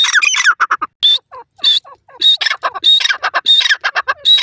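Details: Loud dakhni teetar (grey francolin) calling: piercing rasping phrases with a high whistled edge, mixed with quick clipped notes, repeated in an uneven but steady series.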